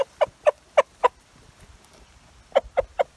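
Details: Rooster calling his hens to share a haul of beetles and mosquitoes, giving loud, clipped clucks in two bursts, four quick notes then a pause, then three more, with faint rustling between.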